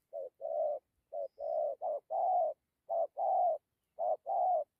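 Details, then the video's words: Spotted dove giving gù and thổ style coos with dặm: short note plus longer warm coo, repeated in a steady series, one phrase doubled, in quiet surroundings. "Thổ tốt tiếng gù tốt dặm kèm gù"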